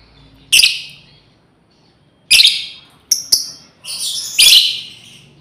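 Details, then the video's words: Female lovebird calling out to companions: loud, harsh, buzzy chirps in short bursts, one near the start, one past two seconds, a quick double note, then a longer ragged burst near the end, with quiet pauses between. "SUARA PEMANGGILAN BURUNG LOBEBIRD//BETINA MEMANGGIL KAWAN"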